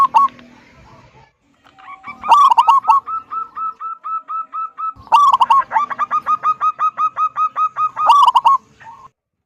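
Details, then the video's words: Local zebra dove in full song, used to coax other doves into singing: three loud rasping bursts, each trailing into long rows of rapid, even cooing notes, ending with a lone coo. "Perkutut lokal gacor suara besar - SUARA KUNG"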